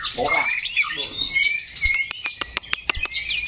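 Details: A white-rumped shama kept as a contest bird gives clear high whistled phrases over a soft chatter, followed by a series of sharp clicks or taps at regular intervals.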